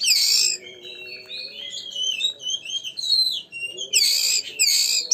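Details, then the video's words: Oriental magpie-robin (kacer) song played to provoke another magpie-robin into singing: loud harsh bursts at the start and end framing a run of varied whistled notes, over a steady low hum. "pancingan burung Kacer gacor ini bisa mendobrak emosi Kacer anda degan cepat"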